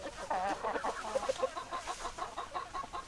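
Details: Hens and roosters, chickens heard close: continuous low, rolling clucks in quick runs, several birds overlapping, with a few brighter rising notes early on.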